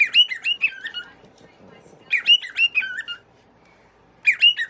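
A cockatiel gives bright, warbling whistled calls in short bursts with brief pauses between.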